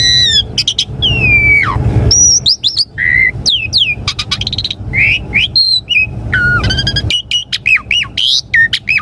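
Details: Varied, full song of an Asian pied starling, played to prompt caged birds to respond: fast mix of bending whistles, harsh squawky bursts and rich harmonic notes in quick succession, with a constant low hum underneath.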